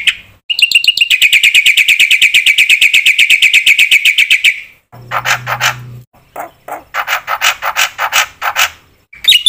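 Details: Black-winged myna singing actively with varied notes, used as a lure to provoke other mynas to sing: a long fast series of rapid ringing notes, followed by harsher broadband phrases and a brief low hum.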